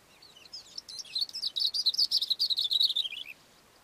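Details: A Cape grassbird singing from a rock on a mountain slope gives a rapid, jumbled run of high, scratchy chirps and whistles, accelerating into a tumbling phrase of about two and a half seconds.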